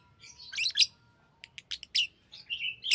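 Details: Green lovebird chirping: scratchy high chatter at first, then a run of brief clicky ticks and sharp squeaky notes ending in a harsh buzzy chirp.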